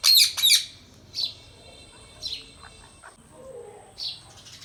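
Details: Indian rose-ringed parakeet kept as a talking pet bird: two loud harsh screeches in quick succession, then several softer short chirps spaced about a second apart, quiet indoor background with a thin steady whine.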